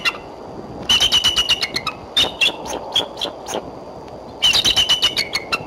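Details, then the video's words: Female bald eagle perched for a long time on a Y-shaped branch near the Decorah nest, calling on 3 April 2012 around midday: two bursts of rapid, high, squeaky chittering notes, each run about a second long, separated by quieter single notes. "mama perched for quite a long time on Y branch & calling"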